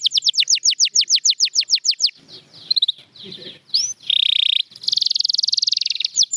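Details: Song of a champion canary: a rapid run of falling chirps for two seconds, then scratchy, softer notes, an upslurred whistle, and a dense buzzy roll broken by rising whistles.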